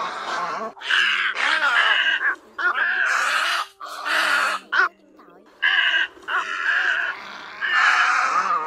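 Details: Great egret calls among other egrets, played to draw birds into night nets: coarse, nasal croaks in separate blocks of one to two seconds, some short gaps of near silence, faint hum underneath.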